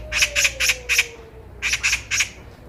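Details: Loud, clear Eurasian magpie chatter met on a walk: four harsh rattling squawks in quick succession, a short gap, then three more, with a faint falling whine in the background.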